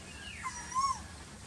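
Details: Asian koel calling in the very hot season: a faint, smooth whistled note near one pitch that bends up and down over noisy background hum, with a softer curved tone before it.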